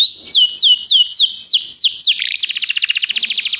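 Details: Belgian tutor canary in full song, giving a series of slurred whistles that drop steeply in pitch, about four each second, then switching abruptly to a rapid, even, buzzy trill at a higher pitch.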